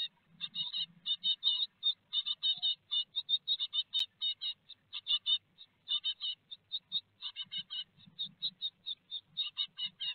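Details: Great tit family in a nest box at Théding, France, 4 May 2021, a big peanut served: loud, rapid high chirping in close runs, nearly continuous for ten seconds, with one sharp click midway.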